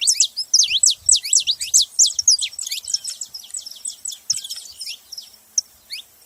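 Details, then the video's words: Saffron finches in a group chorus: rapid, loud, high chirps and quick falling slurs pour out almost continuously for the first four seconds, then thin to scattered single notes toward the end. "Canário da terra junto fazendo barulho"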